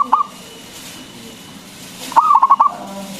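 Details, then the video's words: Lure song of a local zebra dove meant to raise other doves' urge to sing: a brief clipped coo opens, then after a pause a full phrase of five quick pulsing notes ending in a drawn coo. "PERKUTUT LOKAL GACOR SUARA BESAR ISTIMEWA PANCINGAN BURUNG PERKUTUT AGAR BUNYI"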